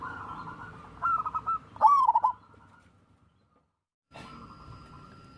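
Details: ['Zebra dove, described as local wild, played to prompt lazy doves to sing: two burry cooing phrases of quick staccato notes, then silence and a steady faint tone.']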